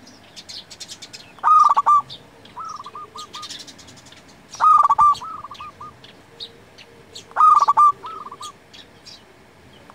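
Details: Vigorous local zebra dove song used as a lure and tutor: three loud trilled coo phrases about three seconds apart, each followed by a softer burst of quick repeated coo notes from a second dove.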